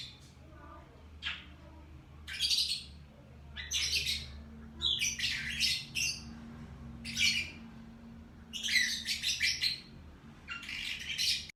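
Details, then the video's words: Lovebird chirping in the morning: harsh, high squawky bursts in short clusters every second or so, separated by brief pauses, with a faint low hum underneath. "LOVE BIRD Kicauan Burung Di Pagi Hari"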